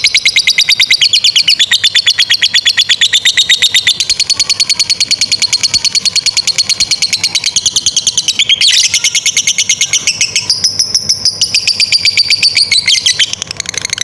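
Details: Lovebird in an extended ngekek trill, used as training material for young and stalled lovebirds; high, rattling notes pour out continuously for fourteen seconds, with brief shifts in pitch near the middle and end.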